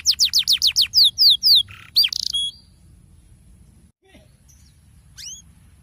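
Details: Canary giving a 'ngerol' rolling song meant as a pancingan to trigger quieter canaries: fast series of descending whistled sweeps, then buzzy trills and a short steady note, breaking off after two and a half seconds into near silence with a faint final upslur.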